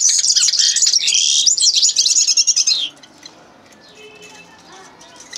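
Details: Common linnet delivering a loud, fast twittering song of chattering notes for nearly three seconds, then near silence with only faint distant chirps.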